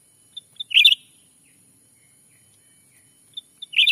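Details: Black-capped bulbul lure call used to draw wild birds in Sumatran forest for trapping; two short, bright warbled chirps about three seconds apart, each led by a couple of thin high pips, on a quiet background.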